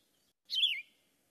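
A Yellow-throated Vireo gives a single short, burry phrase that slurs downward, lasting about a third of a second against a silent background.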